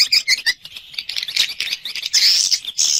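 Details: Swiftlet external sound recording: bursts of high, thin chirps and short twitters, several quick notes in the first half second, then a brighter rising trill after a brief pause, dense and overlapping.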